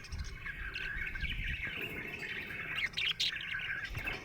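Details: Budgerigar chattering happily, quick irregular twittering and high squeaky chirps running without pause over a low background rumble.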